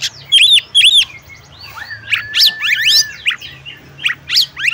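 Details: Female oriental magpie-robin calling to a male to get him singing: paired arched whistled notes, then rising and falling sweeps, a long level whistle, and sharp high chirps in uneven bursts over a faint low hum.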